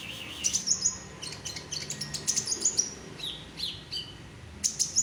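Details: A caged Olive-backed sunbird sings bursts of very high chirps and twittering trills, with a few lower sweeping whistles between phrases.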